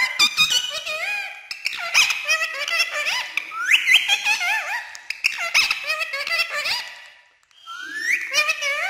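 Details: Green ringneck parrot talking nonstop in Urdu and Hindi: a dense stream of quick, squeaky, speech-like syllables with sliding tones and laugh-like bursts, briefly pausing before a rising voiced phrase.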